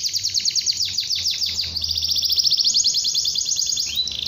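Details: Long-singing canary, a recording for training young canaries to sing soon: descending swooping notes in quick series, flowing into an extended buzzy high trill, closing with a brief rising slur.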